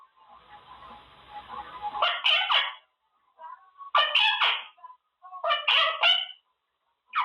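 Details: Pet Quaker parrot in its cage practising words: faint background murmur, then clusters of short, raspy squawks and clipped chatter, arriving in bursts every second or two.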